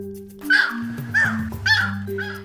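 Yellow-crowned night heron giving a few short, harsh, barking woc calls spaced under a second apart, over steady background music.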